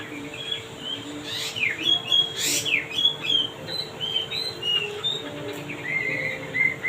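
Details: Male wambi in lively song: bright whistled notes broken by two loud buzzy bursts early on, followed by a rhythmic string of short slurred whistles and a final pair of level notes.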